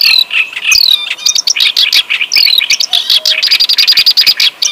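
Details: Clamorous reed warbler in loud, vigorous song: rapid, grating chatter mixed with squeaky high notes and short whistled slides, delivered almost without pause.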